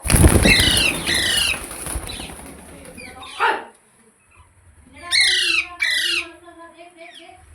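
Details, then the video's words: A green parrot's calls come after a stretch of rumbling background noise: one rasping call, a pause, then two loud harsh squawks in quick succession with a faint trailing note. "Green Parrot Talking Natural Sounds | Tote Ki Awaaz | Mitthu Ki Awaaz"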